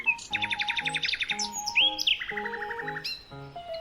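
A nightingale sings a rich, varied phrase: rapid repeated chirps, a pure rising whistle, then buzzy trills, over steady background music.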